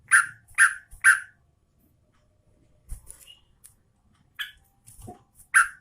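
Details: Female sooty-headed bulbul in breeding condition calling a male: three rapid harsh chirps, a quiet stretch with soft clicks and a brief whistle, then a final loud chirp.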